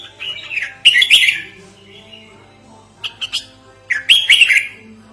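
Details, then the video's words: Red-whiskered bulbul sound made for luring and tutoring birds: harsh, buzzy chatter in four irregular bursts, the loudest near the start and the end, over a quiet steady hum. "Suara Pikat Merbah Jambul Buat Master"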